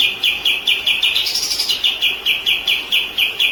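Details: White-rumped shama song from a recording for training other birds. Evenly spaced, pulsing high chips run throughout, with a short higher, brighter phrase laid over them early on.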